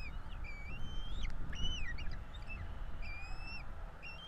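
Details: Feeding time at a bald eagle nest in Florida, two chicks: thin whistled calls, one long rising note then shorter flat and falling ones, with brief clicks and a constant low rumble.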